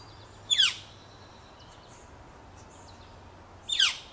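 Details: Being fed in a nest box, growing Northern flicker nestlings give two brief rasping notes about three seconds apart, each a quick descending burst, with soft high-pitched tones faintly heard in between.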